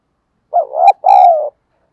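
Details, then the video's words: A spotted dove gives a single loud coo phrase, a quick rising note then a sustained, gently falling coo, as a lure to pull in wild doves. "tiếng cu gáy thúc giọng hay và nhạy bổi nghe nhanh về cội"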